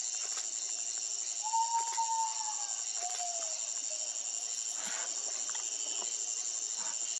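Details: A common potoo in Formosa, Argentina gives a mournful whistled series: a long note then two shorter ones, each lower than the last, over a steady high hum of insects.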